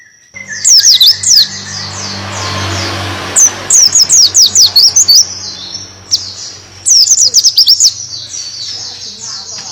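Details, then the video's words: Buxton's white-eye in canary-style tembakan song. Three bursts of very high, rapid falling whistles are separated by pauses, over a low humming, rumbling background noise. "BURUNG PLECI BUXTONI (TEMBAKAN BURUNG KENARI)"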